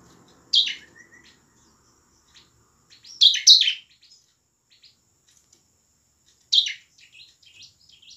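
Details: Energetic bar-winged prinia, or ciblek, singing in the 'ngebren' and 'nembak' styles, used to prompt reluctant birds to sing and fight: three spaced bursts of piercing high, descending notes, with scattered soft ticks between and a quiet background.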